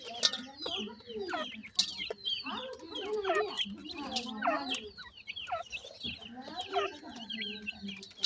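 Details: Francolin chicks, kept and fed termites and local homemade food, chirp continuously: many short, high, falling peeps crowding together, with a low wavering hum underneath.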